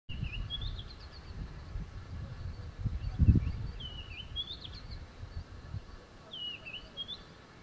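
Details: A White-browed (Red-backed) Scrub Robin (Cercotrichas leucophrys) sings near a tent camp at Zulu Nyala Game Reserve, KwaZulu-Natal, South Africa, on 28 September 2017: three short, high whistled phrases, rising and falling, about three seconds apart, over low rumbling and a brief thump.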